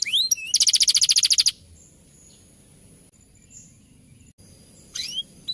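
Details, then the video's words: Champion canary singing rolling fighter song for tutoring: a few high whistles, then a fast pulsing buzzy trill lasting about a second, followed by a long quiet pause and one returning high slurred note. "Burung Kenari Gacor Masteran Nya Burung Juara || Suara Burung Kenari Ngeroll Fighter"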